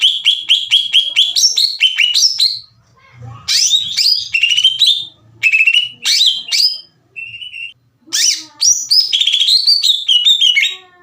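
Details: Lure song of a greater green leafbird meant to raise other leafbirds' excitement: a fast series of repeated whistled notes, then varied rising and falling phrases, with a long steady whistle and brief gaps.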